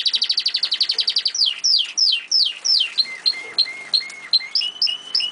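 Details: An old pet canary singing: a fast, high rolling trill, then sweeping down-slurred notes, then clear lower whistles with bright upturned flourishes.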